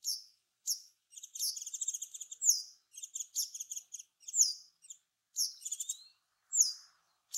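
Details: Japanese Wagtail, a bird of fields, grassland and waterside, singing a lively, irregular mix of rapid buzzy trills, rattling bursts and sharp slurred notes, broken by short pauses, with nothing else audible.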